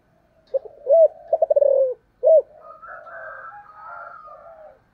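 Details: Spotted dove in 'thổ sấm' style, 'thúc' and calling coos: a rapid stuttering series of mellow hooted notes and a final round coo, followed by fainter overlapping coos from a more distant dove.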